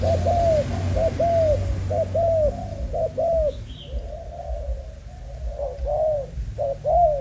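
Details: Young Malaysian-strain spotted dove kept for breeding, giving a run of soft, hollow coos with slightly arching notes repeated about once a second, some phrases doubled, over a steady low hum and a brief faint high chirp.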